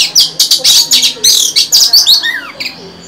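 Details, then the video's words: Singing female white-rumped shama meant to excite males, giving dense rapid chattering notes and harsh buzzy bursts about twice a second, ending with a lower slurred whistle and fading notes. "Chòe than mái hót, kích bổi mau căng lửa! Betina kicau kacer !"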